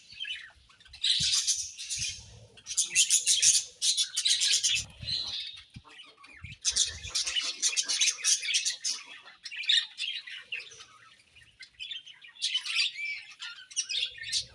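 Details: Budgerigars chirping while eating, a busy stream of buzzy, scratchy high chatter in dense bursts with short pauses, several birds overlapping, faint low knocks underneath.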